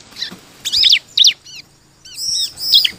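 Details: Bar-winged prinia singing actively, used as a lure to make other birds sing: bursts of high, arched chirps in two clusters with a quiet gap between them.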